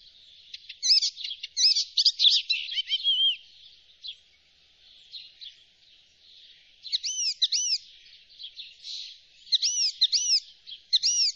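Icterine warbler song: fast, varied chattering phrases of high twitters and whistles, then clear upslurred notes repeated in short bursts.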